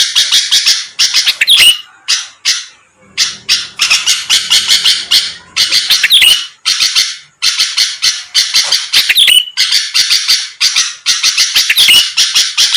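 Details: Lure recording of a vigorously singing sooty-headed bulbul meant to make rivals answer: bursts of harsh buzzy chatter split by short gaps, with sharp upslurred whistles rising through the phrases.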